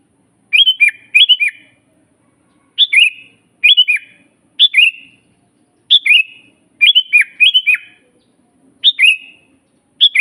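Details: Master-recording song of a sooty-headed bulbul for teaching birds and attracting wild ones: clear liquid whistled phrases, often doubled, falling in pitch, repeated roughly every second.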